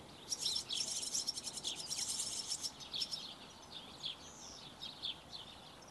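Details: Barn swallow chicks at feeding time, a rapid buzzing chatter of dense high chirps for about three seconds, then scattered softer twitters and a thin rising note.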